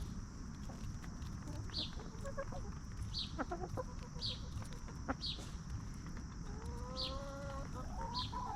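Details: Free-range hens scratching and snacking as they roam a backyard farm; scattered soft clucks, then a clearer drawn-out harmonic cluck near the end, over repeated high wild-bird chirps every second or so and low steady hiss.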